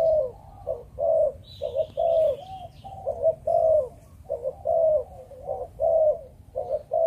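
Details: Spotted dove of the Malaysian breeding line in full 'Chụp Chụp Ô' cooing. A long run of low, hollow coo couplets repeats about once a second, with a faint high chirp from another bird early on.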